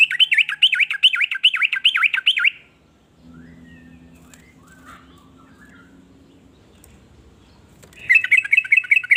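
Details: Sooty-headed bulbul (trucukan) with a song said to prompt other bulbuls to sing; rapid looping warbled phrases, a long quiet gap with low hum, then the fast warbling resumes.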